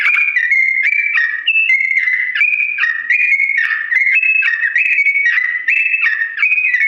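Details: Yellow-vented bulbul with a long, slow rolling song to encourage imitation: steady chains of pure whistles alternating between higher and lower held notes, evenly paced and unbroken.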